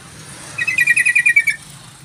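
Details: Trucukan, the sooty-headed bulbul, giving a quick run of around nine lively, liquid chirping notes over roughly a second against a low hum.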